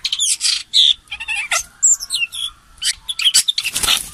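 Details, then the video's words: Common green magpie used as a lure bird, giving harsh grating squawks alternating with thin piercing whistles and brief rising notes, in irregular bursts of a few per second, ending in a noisy rasping burst. "TIẾNG CHIM MỒI CỦA PHƯỢNG HOÀNG LỬA"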